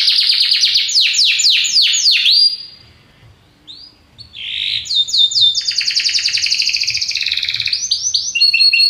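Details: Powerful song of a Belgian canary: a run of descending swept notes, a brief near-silent pause with a faint low hum, then a long, steady, rapid rattling trill and quick chirps.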